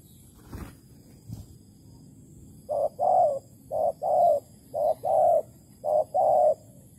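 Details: Spotted dove in Malaysia, filmed at a bird trap with bare bait: two dull knocks, then four paired coos, a brief note and a longer purring coo each, evenly spaced about a second apart.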